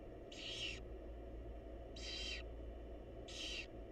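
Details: Barn owl chicks' nest box, wild birds, mother feeding them: three harsh, breathy screeches of about half a second each, evenly spaced around 1.5 seconds apart, faint hum underneath.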